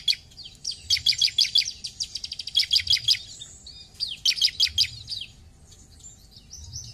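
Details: Lively ciblek (bar-winged prinia) song meant to stimulate other birds to sing: long runs of fast, high, buzzy repeated notes, then shorter bursts and thin whistled slurs.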